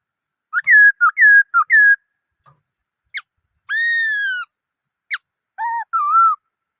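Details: Black-throated laughingthrush song of clear whistles: a quick series of rising-falling notes, sharp upward flicks, one long rich descending whistle and a final pair of warbled notes.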